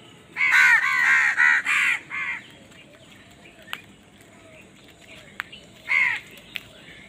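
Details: Crows calling while fighting for food: a burst of five harsh, hoarse caws in quick succession, then quiet with faint clicks and one more short pair of caws near the end.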